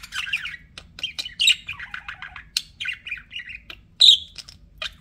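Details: Chattering budgerigars kept as pets: a continuous warble of scratchy, buzzy notes and chirrups with one loud squeaky squawk near the end, delivered in quick uneven runs.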